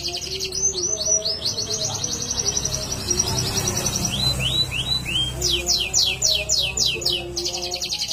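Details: Canary singing energetically: rapid high trills and repeated downward-sweeping whistles in quick series, with low steady musical tones running underneath throughout.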